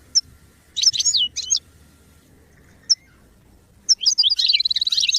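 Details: Goldfinch song used for song training: scattered single high chirps and a short twittering phrase, then a fast, continuous burst of bright, buzzy trilled twittering at the end.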